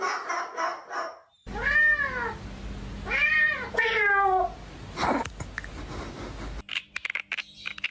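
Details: A pet parrot imitates a cat indoors, producing several drawn-out, arching meows one after another, along with some clicks and rustling.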